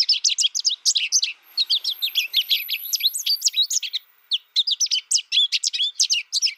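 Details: American goldfinch that spent its first year alone listening to a recording twitters in two long bouts of rapid, high chirps, with a thin sustained whine faint above and a pause in between.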